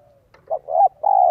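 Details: Spotted dove cooing in the 'giọng son 1 cốt lỡ' style, used to provoke wild doves: after a faint low note, one short coo is followed by two longer, steady, mid-pitched coos.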